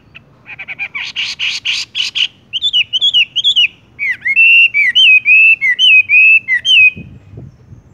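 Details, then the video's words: Wambie, or Horsfield's bush lark, rolling into tung roll song: buzzy chatter, then sharp chirps, then a long series of arching whistles, with a brief thump at the end. "wambie tung roll gantung langsung ngerol"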